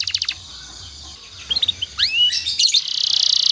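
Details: Canary singing in the 'nembak rapat' style, used as master training song for other canaries: scattered sharp high chirps, upward-swept whistled notes, a buzzy burst, then a fast even trill building at the end.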